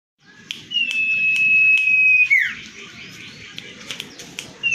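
Common Iora song: a long, steady, high whistle held over a second, then a quick downward slur, with scattered sharp ticks and a low background rumble.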